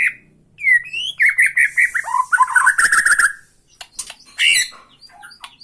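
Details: White-rumped shama of Borneo provoking another shama with tretekan song: upward-sweeping whistles, then a rolling trill of repeated bubbling notes about five per second, followed by sharper scattered chips.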